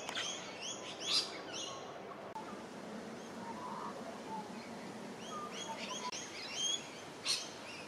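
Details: Crimson Rosella feeding on shrubs beside Gardiners Creek, Melbourne, Australia, 27 July 2023, giving short, bright, harmonic chattering notes in two quick bursts, early and late, over a steady background hiss of outdoor noise.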